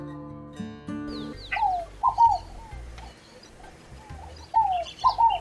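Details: Scaled dove (rolinha fogo-apagou), a typical countryside sound in Brazil, gives soft falling coos in two short groups of about three, roughly three seconds apart, after a brief musical opening.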